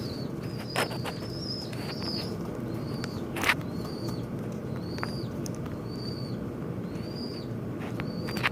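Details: Fighting birds at a window repeat short arched whistles roughly every second, high and thin, while loud sharp knocks and clicks break through at intervals over a constant low background noise.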